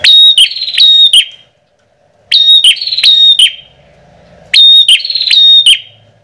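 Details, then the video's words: Bar-winged prinia lure call for rice fields, gardens and forest: loud, high, piercing bursts of rapid repeated notes, each about a second long, coming every two seconds or so. "Suara Pikat Burung Prenjak"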